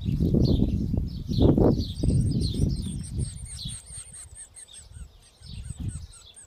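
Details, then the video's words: Superb fairywren nestlings, three chicks fed by both hard-working parents, calling with high chirps in rapid series; a faster, thinner run of very high ticking notes joins midway, all over heavy low rumble. "Superb fairywren, both parents are working very hard to feed their hungry 3 little chick's"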